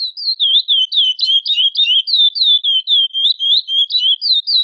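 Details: Chestnut-bellied seed finch female asking to mate, giving rapid high chirps, around sixteen in under five seconds, each a short wavering slur, evenly spaced and clean with nothing else audible.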